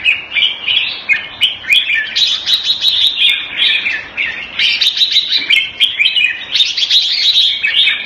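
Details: A caged red-whiskered bulbul, kept Thai style in Singapore around 14 February 2018, sings a steady run of short, sweet, bubbling whistled phrases, each repeated with hardly any pause.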